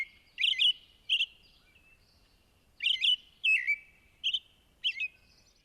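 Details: American Robin in New York City giving its dawn song, excited: short caroled whistled phrases mixed with thin, high squeaky notes in quick bursts with brief pauses, plus the whinny call it gives when excited or upset.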